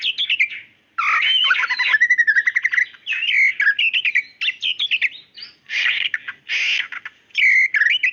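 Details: Female white-rumped shama calling the male. After a short silence it breaks into a lively stream of bright chips, warbles and slurred whistles, including a quick stuttering series, interspersed with a few harsh, noisy notes.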